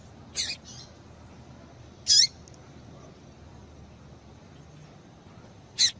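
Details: Three widely spaced, high, piercing chirps from a female yellow-bellied seedeater, used to stimulate males to sing, over a quiet background.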